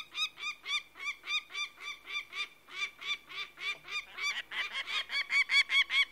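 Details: Peregrine falcon cackling with harsh, hoarse repeated notes that quicken and swell in the last two seconds.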